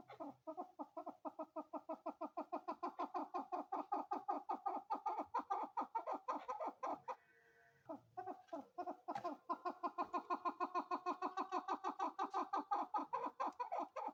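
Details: A long, even stream of rapid clucking chuck notes from a female chukar, briefly interrupted midway before the same fast series carries on.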